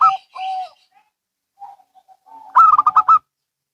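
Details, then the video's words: Local and Bangkok zebra doves exchanging calls: two drawn-out coos, faint scattered notes, then a loud, quick stuttering series of bubbling coos. "Perkutut Lokal & Bangkok Bunyi Saling Bersahutan"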